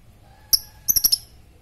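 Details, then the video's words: Fighter lovebird ticking (ngetik) as a stimulating lure for ngekek: one sharp high chip, then a rapid run of four clear, piercing chips in under a second. "lovebird fighter ngetik merangsang ngekekk"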